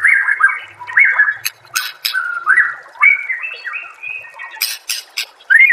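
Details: White-rumped shama singing on a master recording for training songbirds: a run of rich whistled warbles and slurred notes, punctuated by loud clicks and harsh chattering bursts.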